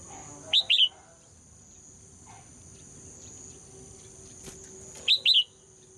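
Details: Singing female red-whiskered bulbul, whose song is said to make males sing vigorously. Two paired whistled phrases, each a pair of quick looping notes, come about four and a half seconds apart, with quiet in between.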